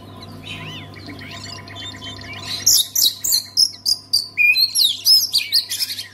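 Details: Oriental magpie-robin song meant to make silent magpie-robins start singing: quiet, distant warbling at first, then a loud rapid series of sharp whistled and chattering notes, about three to four per second, over a low constant hum.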